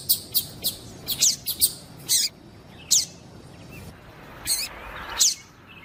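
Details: Female Double-collared Seedeater calling to stir up the male; a quick cluster of high chirps early, then single sharp chirps spaced a second or more apart.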